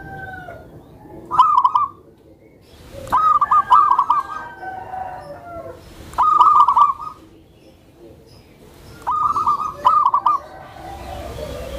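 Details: Tame zebra dove whose call is used to lure and train other zebra doves. Four separate bursts of rapid, rolling cooing notes come roughly every three seconds over a quiet background.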